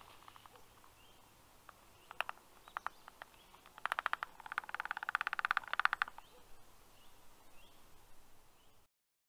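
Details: Black storks at the nest during an early-morning feeding, 6:07 a.m., 6 August 2022: scattered clicks build into a dense two-second run of rapid rattling pulses, then fade to faint hiss.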